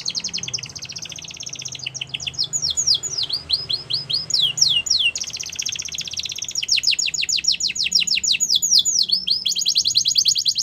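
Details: Singing canary delivers a long continuous song: quick trilled rolls, clear rising-falling whistled sweeps, then another fast even run of repeated notes, all high and bright without pause.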